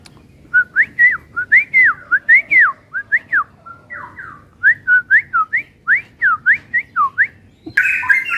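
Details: Caged Straw-headed Bulbul at a bird shop in West Jakarta, described as a settled, steady singer, singing a rich, bubbling run of loud liquid whistled phrases, rising and falling, with a brief burst of noise at the end.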